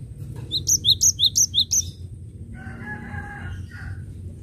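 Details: A cinereous tit sings energetically for use as a lure: five rapid bright two-note phrases, high note then lower, followed by a different lower, drawn-out harmonic call from another bird.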